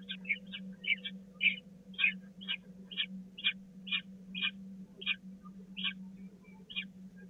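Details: Peregrine falcon chicks at the Catharinakerk nest, recorded 16 April 2019 during a feeding, give a steady run of short, sharp, scratchy begging screeches about twice a second. A low electrical hum lies underneath.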